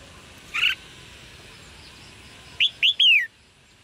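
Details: Red-whiskered bulbul chirping to stimulate male singing: a single sharp chirp, a pause of about two seconds, then a quick run of three clear chirps, the last sliding downward, over a quiet background.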